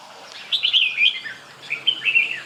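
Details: Red-whiskered bulbul giving two quick runs of clear, warbled whistled notes, each phrase rising then dropping, with a faint steady hum behind.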